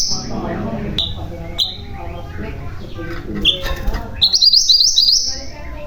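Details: Mantenan gunung (common iora) giving a few sharp, high single whistles, then a short fast rolling trill. Low background noise runs throughout.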